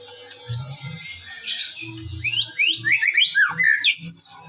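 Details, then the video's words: Morning lure song of a white-rumped shama: quiet start, then a fast series of upward-sweeping whistled notes, about four per second, over soft low thumps. "PANCINGAN BURUNG MURAI BATU DIPAGI HARI AGAR GACOR"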